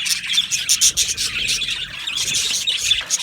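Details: Flock of Australian budgies in an aviary giving rapid high twitters, with several clear whistled chirps and squeaky notes standing out above a constant chattering background.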